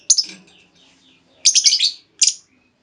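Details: Female lovebird call used as a lure to make other lovebirds answer with long trilling; three bursts of sharp, high, squeaky chirps, a short one, a longer rapid cluster, then a final brief chirp, with quiet gaps between.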